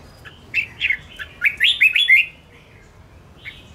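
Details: Provocative fighting song of a Ché red-whiskered bulbul: a tight, quickly repeated string of looping, warbled whistles lasting under two seconds, followed by one faint note, in a calm setting.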